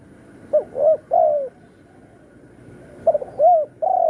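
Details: Spotted dove used as a trapping lure, singing the satu kuk or dua gayau style: two short clipped coos and a drawn-out falling coo, the phrase given twice over a steady low hum.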